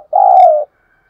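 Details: Caged decoy spotted dove calling to draw in wild birds: one sustained, mellow coo of about half a second, slightly wavering and falling gently at its end, followed by silence.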